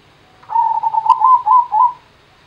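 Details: Zebra dove singing a gendowo-type phrase: a stuttering series of soft coos building into separated, longer rounded notes, the last held and dropping slightly; a brief sharp click midway.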